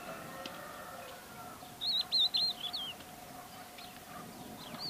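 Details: Crested lark giving a quick run of three clear, high whistled notes, slurred up and down, followed by a softer wavering whistle, with a steady low hum and faint background noise throughout.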